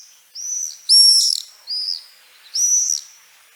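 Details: Typical scream or screech of the Common Swift: four shrill, very high, slightly rising screeches, the second and fourth loudest, separated by short silences.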